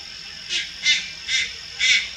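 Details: At Lugu on 4 August 2022, a young Malayan night heron utters four breathy, grating rasps spaced roughly every third to half second, steady and fairly loud against a quiet background.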